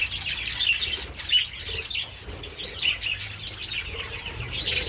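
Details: Budgerigars feeding on treats in sunshine on 27 February keep up busy overlapping high chirps and scratchy twitters, with soft fluttering in the mix.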